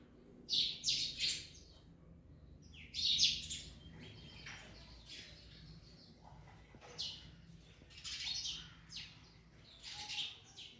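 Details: Harsh, high chirping from parrots eating an orange comes in quick doubled bursts, then quieter scattered calls follow over a soft background hum.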